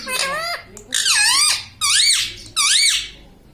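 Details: Talking pet parrot that says "mitthu" and "mummy": four loud, drawn-out nasal phrases, each about half a second, swooping down then up in pitch, separated by short pauses in a small room.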